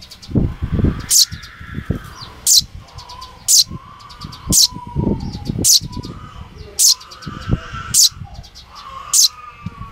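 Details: A young Eurasian tree sparrow sitting on a person's palm, calling. Loud, sharp, high chirps repeat roughly every second. Low rustling and handling noise sits between the calls, along with a faint tone in the background.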